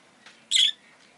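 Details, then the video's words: Pet rosy-faced lovebird letting out a single short, shrill, grating squawk, preceded by a soft faint note, over a steady low hum. "Lovebird Chirping Sounds"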